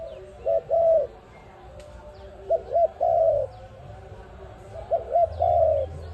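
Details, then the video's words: ARIMIX dove calling, a sound used as a lure for trapping: three low cooing phrases, each two short clipped coos and then a longer drawn-out coo, about every two seconds, with faint high chirps of small birds and a low hum. "Sound of ARIMIX dove quality sound to use for trap"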